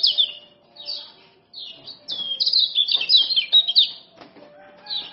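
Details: Male common iora from Lombok as a tutor and lure for reluctant singers: short high chirped phrases with gaps, then a dense run of quick whistled and chirped notes, ending with a single soft phrase.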